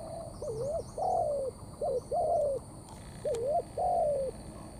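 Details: Wild-caught spotted dove cooing in the thổ pha cấn sấm style: low mellow phrases, each a quick wavering double note then a longer falling coo, repeated three times; faint high twitters from another small bird in the background.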